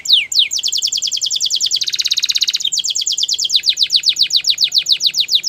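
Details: Canary song: rapid run of downward-sliding whistled notes, then a dense buzzy trill, then more swift descending notes that speed up toward the end. No other sounds.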